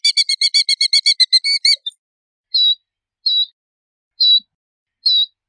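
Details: Killdeer calling: a fast stuttering run of about a dozen shrill high notes in under two seconds, then single clear piercing notes spaced about a second apart, clean background.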